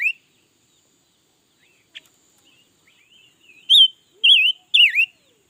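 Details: Red-billed leiothrix that sings all day, 2021; after a quiet stretch with one brief sharp note and soft twitters, three loud fluty warbled whistles follow in quick succession, the last one dipping downward.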